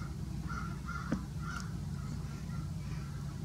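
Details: Crows mobbing a taiga-form Great Horned Owl in Grand Forks, North Dakota, 20 April 2018, give harsh, repeated caws about every half second, partly buried under a steady low rumble of wind or distant traffic.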